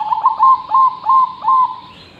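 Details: Zebra dove in lively song, offered as a master recording for training other birds: four loud, rolling coos in quick succession, each opening with a short stuttering note before a sustained purring tone, in a quiet background.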